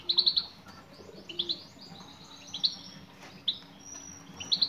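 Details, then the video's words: Female European goldfinch calling to a male: quick triple chirps at the start, then softer high twitters and scattered tweets, with a steady low hum throughout. "بتبتات أنثى مقنين"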